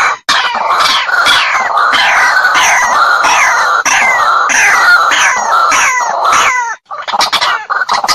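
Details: White-breasted waterhen lure call, used in bird trapping and said to invite a fight: loud, harsh, croaking notes in a fast, unbroken series, several each second, each note dropping slightly in pitch.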